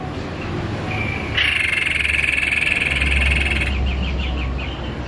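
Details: White-necked babbler in full song: after a quiet start, a single sustained, dense, buzzy trill runs for about two seconds, then breaks into a few quick stuttering notes.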